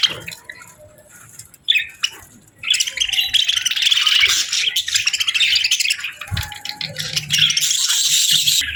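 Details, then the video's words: Parakeets at a winter-morning meal: a few soft chirps, then a sudden swell of loud, continuous scratchy chatter lasting several seconds with occasional low knocks. "Warm Meals for Parakeets 🦜🍽️ | Winter Morning Fun and Chirping Sounds"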